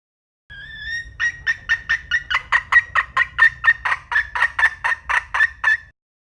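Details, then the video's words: Red junglefowl hen starting with a thin rising whine, then a long regular train of about twenty sharp clucks, slightly over two each second, over faint low-pitched noise. "เสืยงแม่ไก่ป่าน้ำ 3 - Suab Poj Qaib Qus Tom 3"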